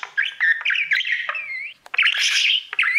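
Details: Male pet budgie warbling at his mirror: dense run of chirps and wavering whistles around a steady mid pitch, a short gap with a single click, then a louder burst of scratchy chatter and bright notes.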